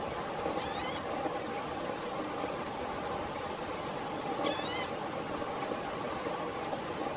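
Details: A Green-tailed Towhee, calling and preening in Blackwood Canyon, Placer County, California, on August 29, 2017, gives two brief, catlike mewing calls about four seconds apart over a steady rushing background hiss.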